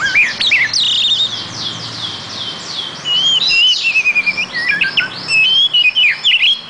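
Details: Oriental magpie-robin (kacer) singing: a rich, varied stream of high whistles, rapid slurred phrases and sharp chirps, nearly continuous, with a faint low hum behind.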